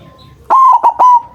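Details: Big-voiced white zebra dove, a lure call for trapping: one brief three-note coo, level and ringing, the middle note short and the final note held and trailing off.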